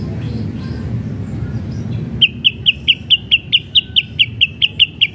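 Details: White-rumped shama kretekan song meant to provoke rivals: after a quiet start, a steady train of crisp, high, clicking notes repeated a little over twice per second, over a low background rumble.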